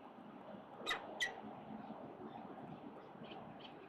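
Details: Wild peregrine falcon at a building nest, mother arriving with breakfast, October 10, 2022, nesting season: two harsh squawking calls a third of a second apart, then a few faint notes, over a steady background hum.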